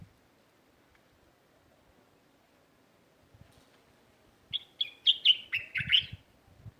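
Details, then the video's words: Neighbourhood garden sparrows: after a near-silent start, a brisk series of about seven sharp, bright chirps tumbles out in under two seconds, with light rustling beneath. "تغريد عصافير في حديقة حينا"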